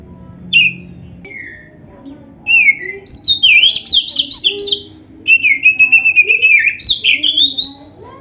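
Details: Singing Oriental magpie-robin, in the prized kacer style with rich fill, meant to make other birds respond; a few scattered whistles open, then long fast runs of warbled, rising-and-falling notes.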